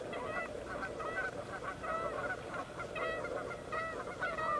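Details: Canada geese fighting on water while three other geese and two loons come to separate them: repeated harsh, nasal honks in quick overlapping bursts over a constant background rush.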